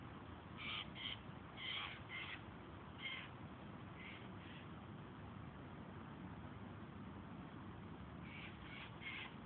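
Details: Hungry Eurasian jays screeching: short harsh, rasping bursts in two clusters near the start, then a few more toward the end, over steady low background rumble.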